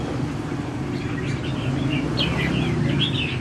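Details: A red-whiskered bulbul sings in a "chainsaw" style: short, bright, warbled phrases that rise and fall, several in quick succession, over a steady low engine-like rumble.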